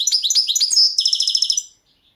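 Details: European goldfinch of the Balkan subspecies Carduelis carduelis balcanica, competition recording for the 2022 World Championship in Goldfinch Song; a rapid, liquid twittering phrase of high tinkling notes runs about 1.7 seconds, then stops into silence.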